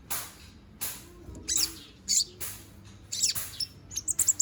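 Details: Konin bird, young and growing its feathers, kept for song training, singing 'gacor' style: short high chirps and bright twitters alternating with broad, hissy bursts, sparse at first and then quickening into a rapid run of sharp notes.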